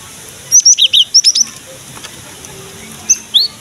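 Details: Cinereous tit, called gelatik batu, in lively song played to prompt young birds of the same kind to sing: a quick run of loud, thin whistled notes stepping between two pitches, then a short two-note phrase after a pause.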